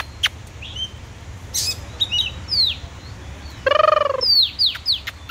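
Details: Oriental magpie-robin singing: scattered clear whistled notes, several sharply down-slurred, with short high chips and one nasal, buzzy, harmonic-rich phrase midway; a steady low hum runs underneath.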